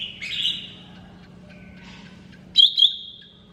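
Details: Whistled phrase and a loud doubled chirp sliding into a long level whistle from a lesser green leafbird, over a faint low hum.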